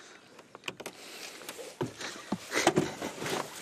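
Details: Clicks, knocks and rustling from a safari vehicle on a sunset drive, sharp irregular bursts that grow louder toward the end, with no animal calls.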